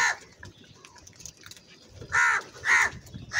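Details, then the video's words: A crow's angry, very loud cawing. The start is quieter, then three harsh, nasal caws come in quick succession over the last second and a half. "Very loud voice of Crow sound - Angry kauwa ki awaz"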